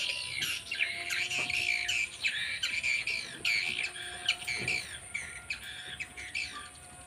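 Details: Edible-nest swiftlets in a 12 by 12 metre, four-storey bird building in Banyuwangi, East Java. Many birds give bright, squeaky chirps in quick overlapping bursts, with a faint steady hum and chatter that thins toward the end.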